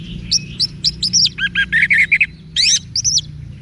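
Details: Orange-headed thrush (anis merah), a cage bird from Singaraja in northern Bali, used for song training; rapid series of short sweeping whistled notes and chirps, varied and energetic, with faint low background hum.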